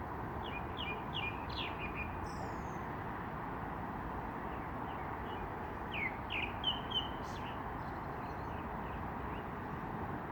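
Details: Wild birds giving short, thin chirps and quick rising notes in scattered bursts, most clustered near the start and again after six seconds, over a constant loud broadband hiss.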